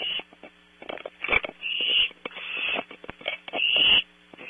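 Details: Barn owl owlets at night on a nest camera at Audubon Starr Ranch, California: harsh hissing screeches with broad rasping bursts and scraping noises between them, steady electrical hum underneath.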